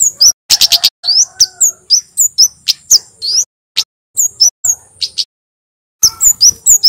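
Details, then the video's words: Male Javan kemade sunbird singing loudly as a lure for silent captive birds: fast strings of piercing high chirps and slurred whistles in quick bursts, a gap near the end, then renewed rapid twittering. "SUARA KEMADE JAWA JANTAN GACOR"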